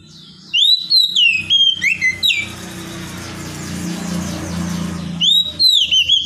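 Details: Oriental magpie-robin whistling sweet, sliding notes in quick phrases, broken mid-way by a long stretch of loud hissing noise over low rumble, then resuming with more clear whistles.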